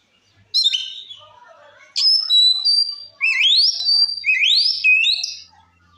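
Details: Provoking song of a white-rumped shama: short opening notes, then a sharp high note leading into bright whistles and repeated upslurred rising phrases, delivered loud and clear.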